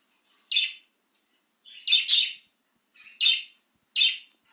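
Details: Single excited budgerigar outside its cage: four clear, high chirps about a second apart, the second a quick double note, each short and bright with silence between.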